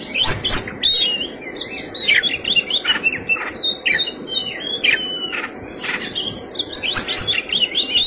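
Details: An Oriental magpie-robin in fighting song with rich fill: loud, varied whistles, upslurred and downslurred notes, and scratchy broadband bursts, packed densely across eight seconds with little silence between phrases.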